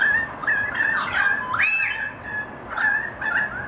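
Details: Several currawongs of a family singing: clear sliding whistles, one rising sharply, mixed with rougher squawky notes overlapping in a short chorus.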